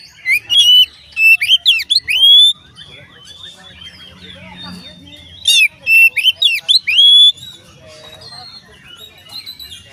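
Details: Oriental magpie-robin song meant to set other magpie-robins singing: two loud rapid bursts of varied high whistles, chirps and sweeping trills, each lasting about two seconds and separated by quiet stretches with faint soft chatter.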